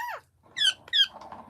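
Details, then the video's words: A pet talking parakeet, spoken to indoors and asked whether it has eaten rice, gives three short nasal squawky syllables: one falling, then two quick rasping bursts about half a second apart, in a quiet room. "টিয়া পাখি কথা বলে"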